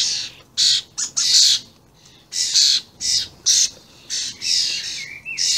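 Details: Juvenile and adult common starlings, very vocal, recorded 28 May 2016: harsh, broadband squawking bursts repeated irregularly, about half a second each, with a thin rising whistle near the end.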